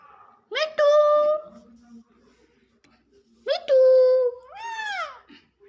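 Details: Hand-tame Indian ringneck parakeet giving two drawn-out, nasal, voice-like calls about three seconds apart, the second followed by a quick rising-then-falling note; a faint low murmur between.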